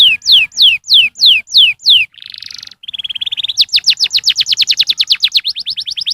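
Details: Canary song to stimulate young canaries to sing: loud downslurred whistles repeated about three per second, a brief buzzy rattle, a steady whistled tone, then a fast rhythmic trill of ringing notes.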